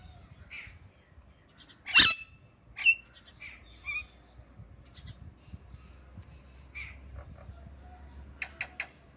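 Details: Indian ringneck parakeet calling: a loud harsh squawk near two seconds, another at about three, then scattered shorter chirps and two sharp clipped notes near the end, over a low background hum.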